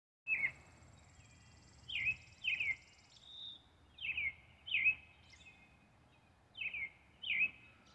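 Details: A European robin sings an early-evening song of short, bright notes that slur downward, often in pairs, with a thin high trill at the start and a quiet hiss behind.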